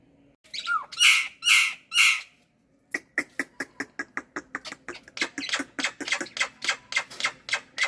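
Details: Black-winged myna, kept bird, in the morning: three loud harsh squawks, a short pause, then a fast series of dry clicking, chattering notes repeated about twice per second.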